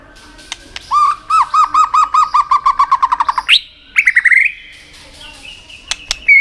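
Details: White-rumped shama song used to fire up a shama for singing contests: a long fast run of repeated lower whistled notes speeding up, a sharp upward sweep, then brief chirps and isolated high notes.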